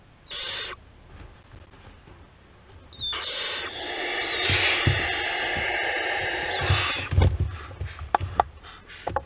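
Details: Barn owl family filmed by nest webcam at Théding on 4 July 2022. A brief hiss comes first, then a long rasping screech lasting about four seconds, followed by scratching and knocking sounds inside the nest box.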